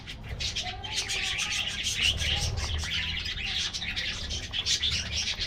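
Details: Aviary colony of colorful budgies getting a morning diet treat, steady busy chirping and warbling from many birds at once, with faint low rumbling beneath.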